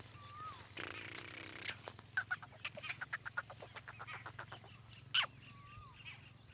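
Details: Black francolin, known locally as kala teetar, accustomed to roaming free: a rapid run of harsh, clipped notes follows a brief burst of broad rushing noise, with thin, slurred whistles from other birds at the start and end.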